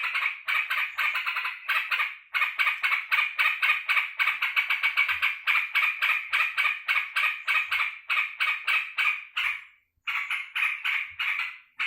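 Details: Kept yellow-vented bulbul excitedly greeting its returning keeper: a long, fast series of grating, buzzy chattered notes, nearly four a second, with a couple of short breaks and faint soft thumps.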